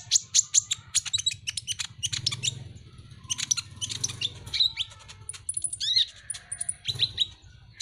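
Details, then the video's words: Masteran recording of a kolibri ninja (Van Hasselt's sunbird), a favoured pet songbird: a busy, dense chatter of very high, sharp chirps, twitters and short sweeping notes with a faint low rumble beneath. "masteran KONIN dacok ngobra ngobra"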